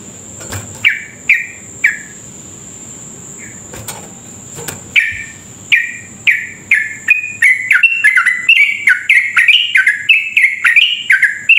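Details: Energetic yellow-vented bulbul song meant to provoke others to sing quickly. A few scattered falling chirps grow into a long, dense, accelerating torrent of ringing notes. A steady high electronic whine accompanies throughout.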